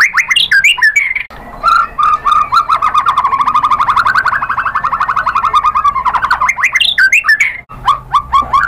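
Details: White-rumped shama song used to tempt other shamas into singing: a long, fast, siren-like rattling trill wavering in pitch, framed by short sharp warbled notes at start and end.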